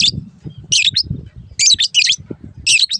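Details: For training caged birds, a long-tailed shrike gives short bursts of harsh, high, scratchy chirps separated by brief gaps, against a steady low rumbling background.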